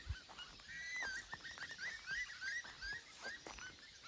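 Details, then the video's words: A distant flock of magpie geese at the water's edge in Mamukala Wetlands, Kakadu National Park, at sunset in July gives overlapping rising and falling honks, several per second, with soft footsteps or rustling close by. "You can hear the magpie geese down on the edge of the water over there."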